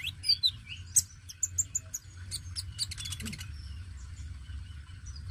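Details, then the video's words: Oriental magpie-robin of the dacok kind singing busily to stimulate young birds: quick whistled notes and short chips, a dense burst of clicks in the middle, quieter toward the end, with a low steady hum. "KONIN DACOK GACOR PENARIK BUNYI KONIN BAKALAN"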